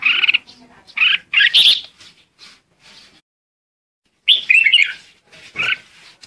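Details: Red-whiskered bulbul lure song used to call the flock: loud bursts of warbled, slurred notes in two groups separated by a short silence, with a few softer chirps between.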